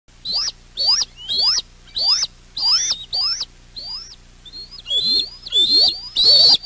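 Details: Young bald eagles at the West End nest, 7 June 2023, alarming as their mother arrives with a fish, just before taking off for it. High, thin squealing notes with a sharp downward tail, repeated about twice a second, ending in a longer rising squeal.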